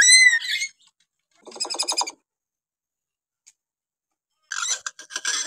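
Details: Kalimantan hill myna in a varied sequence: a brief whistled note, then a buzzy rasping burst, a pause, and a final scratchy, harsh chattering phrase.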